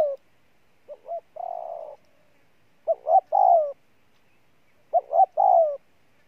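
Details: Spotted dove, a freshly caught wild bird, cooing strongly: three phrases about two seconds apart, each of two quick clipped notes and then a drawn-out, slightly falling coo, in a quiet setting.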